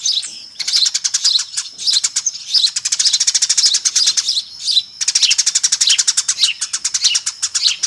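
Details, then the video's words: Noisy flock of Eurasian tree sparrows, a lure call: long stretches of rapid, closely spaced high chirps, with a short pause near five seconds before resuming. "SUARA PIKAT BURUNG GEREJA RIBUT AMPUH"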